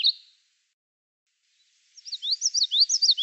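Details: Song of a Common Yellowthroat, an eastern United States warbler: a short high note, a long pause, then a rapid run of repeated, bouncy, down-slurred whistled figures that is cut off at the end, with no other sounds.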